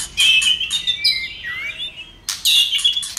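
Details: White-rumped shama singing in a fired-up state with tail flicking, a song meant to provoke other shamas: loud bursts of harsh, buzzy notes, then a sliding whistle that dips and rises, ending in strong, clear whistled phrases.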